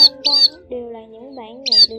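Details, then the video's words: A munia recording used as a lure for net trapping gives high, thin chirps in short bursts at the start and end, with a man talking in a low voice between them. "Chim Ri Đá Tiếng Bẫy Lưới Trùm Cỏ Và Lưới Giật"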